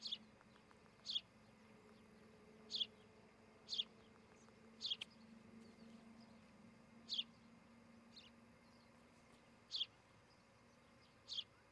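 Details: Osprey at a Charlo, Montana nest on a July morning, nest camera: single high, thin chirps spaced one to two seconds apart over quiet background hiss.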